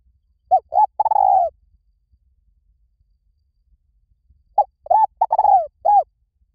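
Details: Spotted dove, a decoy lure call meant to draw wild doves in quickly. Two full cooing phrases about four seconds apart. Each has a short lead note, two quick coos, a long rolling descending coo, then a closing coo. Quiet background.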